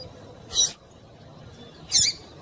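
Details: Female double-collared seedeater in breeding condition, calling to stimulate males and soliciting mating: two short, high, squeaky chirps about one and a half seconds apart over a faint low indoor hum.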